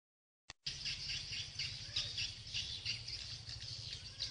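Swiftlets twitter in a dense, high, continuous chatter of rapid chirps, with a steady low electronic hum beneath.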